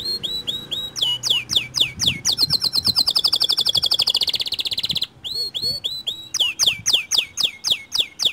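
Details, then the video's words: Song of a white canary used as a lure to make other canaries sing along. Looping downslurs alternate with a long, very rapid rattling trill. After a short break, quick repeated sweeping whistles return. "Pancingan Kicau Kenari Putih Bikin Kenari Lain Ikut Gacor Dor"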